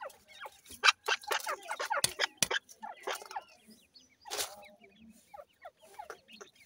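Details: Grey francolin chicks fighting: rapid short high chirps and downward-sliding peeps in quick irregular bursts, mixed with sharp clicking taps and scuffling noises.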